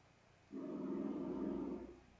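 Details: A woodpecker on a house roof drums a single fast, resonant roll on an aluminum vent, lasting about a second and a half and ringing like a jackhammer; it returns every year, and the drumming is thought to attract females.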